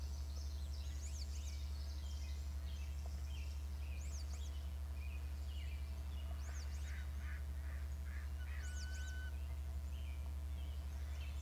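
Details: Eagle calling from its nest, caught on a nest camera: thin, high, arched piping notes in loose bursts of chatter across the clip, over a steady low electrical hum.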